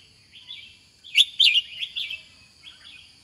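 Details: A single quick phrase from a red-whiskered bulbul: a soft lead-in, then loud, tumbling, slurred whistles, trailing into quieter notes, with a constant high whine behind.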